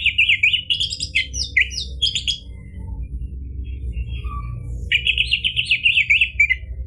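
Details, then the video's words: Orange-headed thrush in full 'gacor' song, used to provoke emotion and answering song in other birds: a rapid, varied cascade of high whistles and trills, a quiet pause with a single low note, then another fast warbling run. "ANIS MERAH GACOR memancing EMOSI jadi BUNYI NYAUT ikut NGEPLONG ampuh buat terapi macet bunyi"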